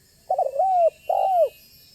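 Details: Lure call of a banggo spotted dove that sets other doves calling and drawing near: a low, slightly rough coo phrase with a wavering start and a long falling end, repeated once after a brief gap, in a quiet setting.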